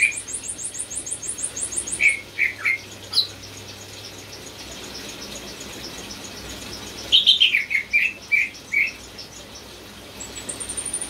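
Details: Greater green leafbird described as a contest-winning champion in full song. A rapid very high trill opens, then brief clusters of sharp chirped notes, a pause, and a livelier run of bright chirps and whistles.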